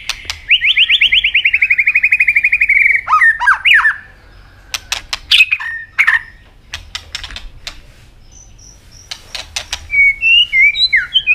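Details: Robin, described as an Asian bird, singing: a fast buzzy trill sliding slightly downward, then sharp swooping notes and scattered clicks, ending in high squeaky twitters.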